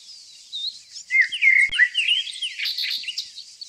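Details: In the evergreen forest country of Tonekabon, northern Iran, a nightingale pours out a quick run of bright, slurred whistled notes that rise and fall, followed by scattered high chirps over a continuous high-pitched hum.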